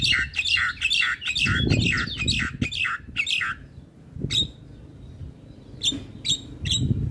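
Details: Male Javan myna, a popular training-tutor bird, in lively song: a rapid series of harsh, chattering whistled notes for about three and a half seconds, then scattered sharp chirps with pauses, over low room rumble.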